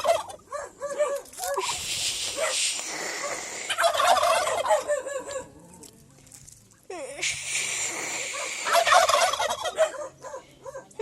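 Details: Domestic turkeys kept in Aratoca, Colombia, calling back as their owner talks to them: two loud, rattling gobble bursts several seconds apart, with quick rhythmic arched yelping notes between and around them.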